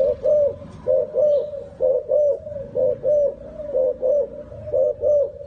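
A turtle dove gives low, rolling purrs in quick pairs and threes, roughly one each second, steady and mellow with nothing else audible.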